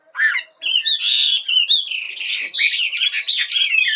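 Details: Morning birdsong, loud and busy, mixing harsh squawky notes with high whistled and chattering phrases that follow one another without pause.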